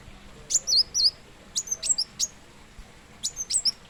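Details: Plain sunbird, locally called kolibri wulung or kolibri muncang, giving very high, thin twisting chirps in short bursts, a pair of looping notes followed by scattered sharp ticks, over a quiet background.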